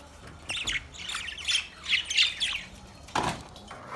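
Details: Budgerigars in a cage give several separate scratchy chirps and short warbled squawks, with pauses between them and a sharp knock near the end.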